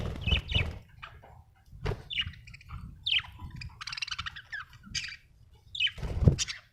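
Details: Happy pet budgerigar chirping: a busy jumble of short sharp chirps, squawks and warbled notes, rising and falling quickly, with low thumps and rumbles underneath.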